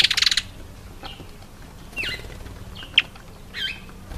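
African green pigeon giving short, high whistled slurs, some bending down then up, spaced about a second apart, after an opening burst of rapid rattling or wing noise.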